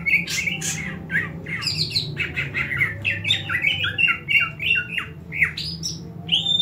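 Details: A greater green leafbird gives its fighting call, meant to train other leafbirds' fighting spirit. Harsh, rasping squawks and short slurred notes tumble quickly one after another, with a steady low hum behind them, as if recorded indoors.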